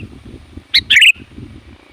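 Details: A single sooty-headed bulbul phrase, loud and varied, used for calling wild bulbuls: a short high note, then a bright bubbly warble dropping at the end, over low background chatter.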